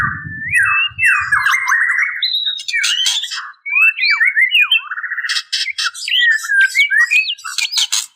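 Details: Female white-rumped shama calling males: thick, buzzy, downslurred notes give way to sharp whistled upsweeps and harsh rasps in quick, irregular phrases. A brief low rumble is heard at the start.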